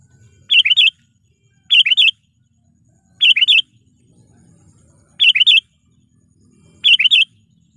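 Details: Sooty-headed bulbul lure call from a trained decoy bird meant to provoke wild rivals: short three-note bubbly phrases repeated about every one and a half seconds, with a faint low hum behind.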